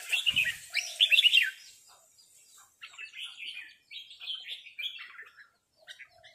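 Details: Red-whiskered bulbul giving loud chirped rik phrases in an answering duel with a resident territorial bird: a strong opening burst, a short pause, then softer chattering phrases trailing off.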